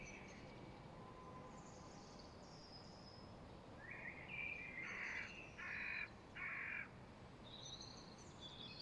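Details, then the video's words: Late-afternoon spring birds, 5.3.2023: quiet high twitters at first, then a run of four loud, harsh, hoarse notes in quick succession, followed by soft distant chirping. "Spring birds chirping (birds chirping late afternoon)"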